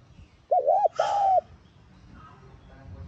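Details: Spotted dove coo used to prompt a decoy dove to sing: a wavering doubled note followed by a long smooth coo, briefly overlapped by a harsh rasping burst, then quiet.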